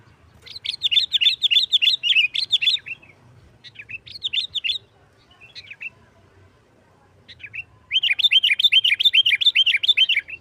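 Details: Energetic sooty-headed bulbul nggaruda tarung song used to make other bulbuls sing: long runs of rapid rolling chirps, a brief quieter stretch of scattered notes, then another fast bubbling burst.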